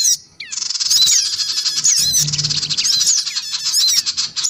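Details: Black-winged cuckooshrike calls, female and male plus young birds, used as a lure to draw small wild birds: continuous harsh high chatter laced with sharp rising and falling chirps.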